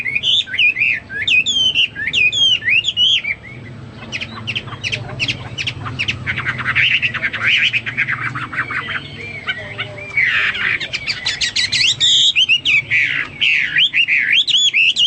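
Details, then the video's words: Hwamei, a pet songbird delivering long varied song: looping whistles, then a stretch of dense scratchy chattering, then more bright whistled phrases, with some lower background rumble. "Burung Hoa Mi gacor"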